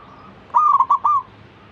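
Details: Zebra dove calling other zebra doves to sing along. A faint, level note is heard first, then one loud, trilled phrase of three pulsing coos, each slightly downslurred.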